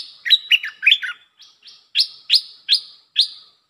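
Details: Red-whiskered bulbul: quick chirpy notes at first, then a series of bright rising notes repeated about every half second, each ending in a brief held tone, with nothing else audible.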